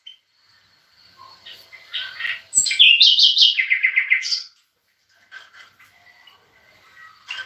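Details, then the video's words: European goldfinch singing, kept with bulbuls, used to encourage other birds to sing: a burst of fast tinkling, twittering notes with buzzy trills, then quieter scattered chirps and pauses. "طائر الحسون المغرّد"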